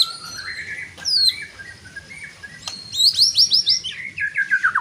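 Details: White-rumped shama singing loudly to provoke rival shamas: thin high notes, then a fast series of sharp downslurred whistles and a descending rippling trill, over low background hum.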